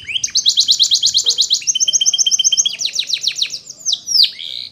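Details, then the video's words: Canary training song opening with a long rapid trill of repeated downslurred notes, then a second quicker rolling trill and a few sharp descending sweeps at the end. Loud and clear over a faint low hum. "It's Impossible If Your Canary Doesn't Sound !! The Canary's Voice Called"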